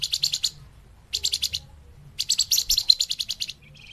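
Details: Flamboyan lure song for catching birds: three bursts of quick, evenly spaced, high chirps, the last one longest, then a faint thin note.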